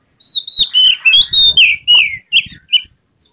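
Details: Kacer, the Oriental magpie-robin, displaying with fanned tail: a short, loud, continuous string of clear whistles and descending slurred notes with buzzy overtones.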